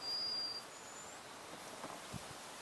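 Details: Green sandpiper at ponds in Buda Stalowska, Sandomierz Forest, Poland: a clear, steady high whistle lasting about half a second, then a fainter, higher rising whistle, over quiet rustling background.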